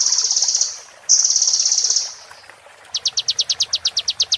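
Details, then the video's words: Sunbird song played to train caged birds: two long, shrill, pulsing buzzy trills separated by a short gap, then a quick series of high, crisp repeated chip notes. "MASTER BURUNG KECIL KOLIBRI"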